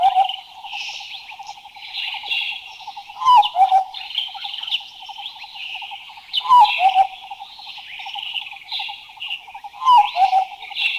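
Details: Thailand recording of a Large Scimitar Babbler repeating a sharp, falling whistled note and a short lower follow-up roughly every three seconds, three times, over a constant high buzzing insect chorus and lower rhythmic trilling.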